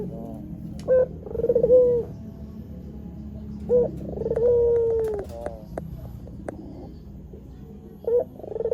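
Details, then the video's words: White Barbary dove recording used to lure wild doves, softer here: short clipped notes followed by rolled, drawn-out coos, with faint clicks and a low hum behind. "Suara Burung Puter Gacor TOP Untuk Masteran Dan Pikat Langsung Nyaut"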